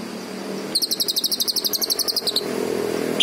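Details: Green leafbird giving one quick run of about twenty sharp, high, evenly spaced notes lasting under two seconds. A low background rumble is present, and one faint note sounds at the close.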